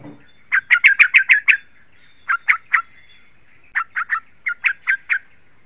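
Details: Yellow-vented bulbul giving a quick burst of six sharp notes, then spaced groups of two to four similar notes. The song is used to lure wild birds and to make caged birds answer.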